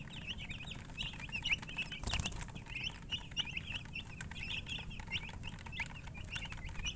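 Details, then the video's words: Chickens chirping: steady chorus of high, wavering peeps repeated rapidly throughout, briefly cut by a loud broadband rustle near the two-second mark, over low background noise. "silly chicken chirping sounds"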